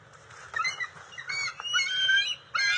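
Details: Juvenile bald eagles at the NCTC nest on June 29, 2021, during eel and fish deliveries, with scuffling and sharing; irregular harmonic squealing calls start after a quiet half second and come in uneven bursts.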